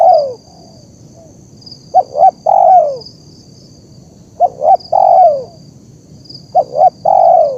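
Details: Spotted dove, a master recording for training captive birds and luring wild ones to call: low hooting coos, two short notes then a longer falling note, repeated about every two to three seconds, with faint high insect-like hiss.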